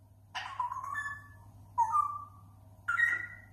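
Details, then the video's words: Grey parrot mimicking various sounds: three clear whistles about a second apart, each with a sharp start then a level or slightly rising tone, over a faint low hum. "Жако издает прикольные звуки"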